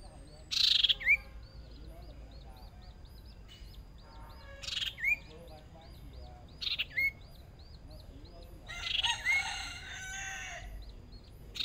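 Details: Captive decoy Hwamei in its first small sparring session: four loud bursts of rich, slurred whistles and harsh notes a few seconds apart, over a steady thin chirping and faint hum.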